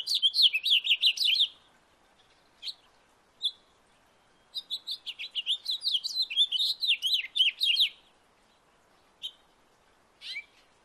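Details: Two bursts of rapid house finch warbling in a backyard, a short phrase opening and a longer three-second phrase mid-way, separated by isolated chirps.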